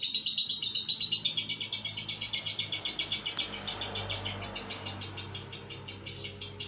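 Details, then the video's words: Lovebird chattering without pause, a bright pulsed trill of rapid notes that starts loud and gradually softens, with a single click in the middle and low background rumble. "Burung Lovebird Mangasi"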